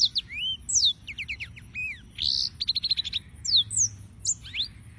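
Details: Singing yellow-fronted canary (Serinus mozambicus): varied high whistles, fast ticking note runs and a buzzy burst, then sweeping slurred notes.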